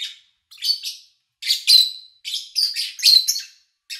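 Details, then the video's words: Lovebirds chirping, recorded in August 2019 in a quiet spell without much engine or human noise: rapid scratchy chirps grouped into clustered bursts, roughly five clusters in four seconds, some notes ending in a thin whistled tail. "Sounds of Lovebird Chirping"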